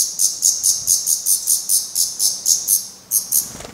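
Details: Black redstart young at a nest in Portugal, still fed by parents, repeat sharp high hissing notes about four times a second, ending with a short pause and a few softer notes.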